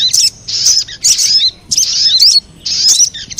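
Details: Sogon call used as a bird lure: four separate bursts of high scratchy chatter with whistled inflections, spaced roughly a second apart with quiet gaps between.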